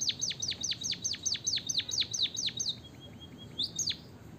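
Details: A White-headed Munia (Lonchura maja) gives a fast run of about eleven high, sharply falling notes in under three seconds, then fainter notes and two more down-slurs; used to prompt reluctant munias to sing.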